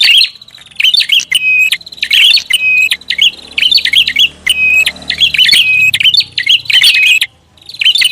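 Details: Prinia used as a lure recording, giving choppy clusters of shrill chirps and sharp squeaky notes with level whistles, grouped into bursts with a faint low hum underneath.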